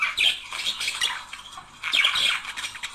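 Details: Budgerigar couple in mating-stimulation song, giving a busy, high chattering warble of clicks, squeaks and short whistles that rises into two loud bursts with a brief lull between.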